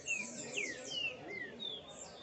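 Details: A captive male Double-collared seedeater with a female nearby sings a quick string of clear, slurred whistles, some sliding down and others rising, over a soft background hum.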